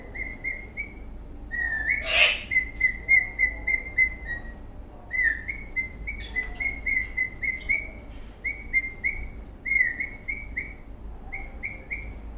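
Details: Eastern rosella parrot dancing in a happy mood, giving a rapid series of short whistled notes near one pitch, repeated about three times a second in bursts, with higher chirps and a louder harsh note early on.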